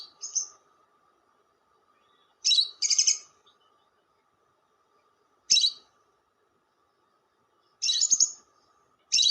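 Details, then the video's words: Lovebird lure call: short harsh buzzy bursts, some doubled, separated by pauses of two to three seconds, with a steady faint hum underneath. "SUARA PIKAT BURUNG LOVEBIRD"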